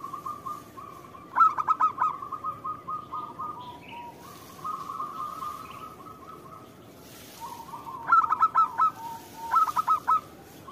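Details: Zebra dove of a local strain in full song, played as a lure: long soft rolling trills broken by two short bursts of sharp, rapid cooing notes.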